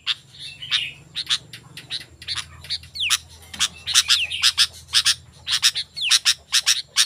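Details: Sooty-headed bulbul singing persistently, a recording to call wild bulbuls and tutor caged birds: rapid sharp chirps and occasional falling whistles, getting denser toward the end, over a low steady hum.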